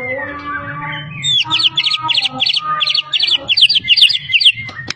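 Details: Competition-winning white-rumped shama from Medan with mimicked calls of many birds, producing rapid paired chirps in quick succession over a steady low background hum.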